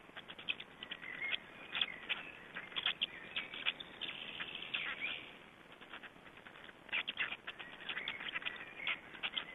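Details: Black storks in Estonia at the nest while being fed, 20 May 2012: bursts of rasping, clicking squeaks alternating with short thin whistled tones, a quieter gap mid-way, then renewed chatter, with constant background hiss.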